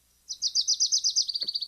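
A Wilson's Warbler sings a quick chatter of about eight distinct, countable high chips. It ends in a faster, slightly lower run of notes, with a brief soft thump near the end.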